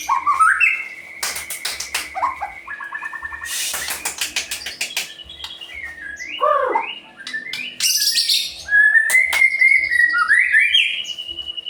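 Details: Actively singing white-rumped shama, used to stir other birds into song. Whistled phrases and a long steady note, interrupted by loud rapid clicking bursts and harsh rattles; a low slurred dip mid-phrase.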